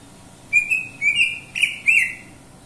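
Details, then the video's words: Greater green leafbird (cucak ijo) singing four clear, loud whistled notes about half a second apart, each bright and slightly slurred, some with a quick rising or wavering twist, against a quiet background. "suara burung cucak ijo"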